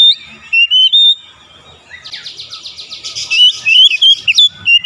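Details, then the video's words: Oriental magpie-robin singing for therapy to encourage quick beak opening; sliding whistled notes, then a rapid rasping rattle overlaid by more whistles and warbles. "terapi KACER cepat buka paruh"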